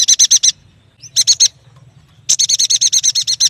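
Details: Yuhina, or prenjak batu, singing loudly; two short bursts of bright buzzy chatter, then a long even run of about thirteen rapid rattling notes.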